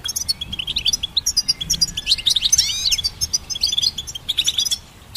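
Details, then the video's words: Goldfinch singing bright twittering chips that build to a cluster of swooping slurred notes, then further quick jingling phrases before falling silent at the end. "Goldfinch Symphony orchestrated by nature's motivational melodies"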